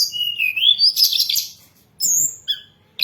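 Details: Hill blue flycatcher singing, recorded as a lure for catching and training birds: a rising whistled phrase followed by a bright burst, then short clear high notes after a pause.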